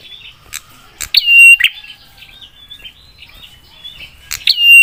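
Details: Prinia pouring out a harsh lure song to set off other prinias: two loud, buzzy, clicking bursts carrying a clear level whistle, spaced about three seconds apart, with soft high chirps between.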